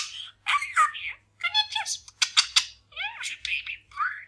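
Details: A male pet budgerigar practising new sayings chatters in rapid, buzzy, speech-like phrases, with scratchy syllables and squeaky rising notes in short bursts; the room is otherwise quiet.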